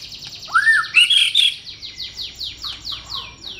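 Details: White-rumped shama singing a few clear, rising whistles followed by a fast, even series of short descending notes, about ten in two seconds.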